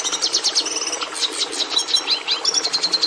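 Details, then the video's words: Red Siskin song, which is nearly identical to the Hooded Siskin's: a rapid, unbroken stream of high chirps, short buzzy rattles and sliding whistled notes, varied and scratchy rather than musical, about three per second in places. "Jilguero Rojo O Cardenalito De Venezuela."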